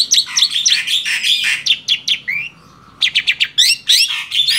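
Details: Tame male black-winged starling singing a dense medley of harsh chattering notes and sliding whistles, with one drawn-out lower whistle in the middle before the chatter resumes.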